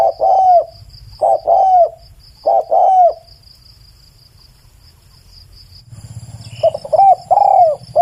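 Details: Spotted dove coos, three short-long phrases in quick succession, a pause of about two seconds, then the cooing resumes against a faint high steady tone and soft background hum.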